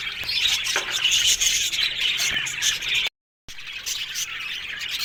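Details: Flock of Australian budgies in an aviary colony producing busy, overlapping high chirps and harsh squawks, rapid and uneven, broken by a short silent gap near the three-second mark.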